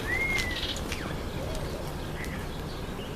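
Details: Red-winged starling feeding on an apple: one clear, smooth whistle opens, rising then gently falling, followed by a few faint, brief chirps over steady low background noise.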